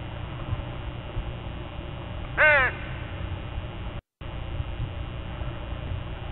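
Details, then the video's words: Crow at dawn, part of a gathered group, giving a single loud harsh caw with stacked tones over steady low background noise, with a brief dropout in the sound. "Dawn with a Murder of Crows"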